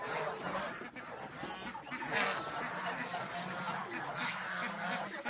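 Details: A flock of domestic geese with goslings on a farm produces scattered nasal honks over a steady background of mixed gabbling, with a few louder calls standing out.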